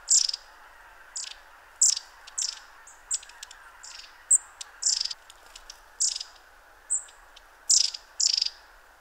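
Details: Long-tailed tits, constantly on the move, give thin, very high, short contact calls in late autumn at the Ptasi Raj reserve, Poland, about a dozen in nine seconds at an uneven pace, over a soft steady hiss.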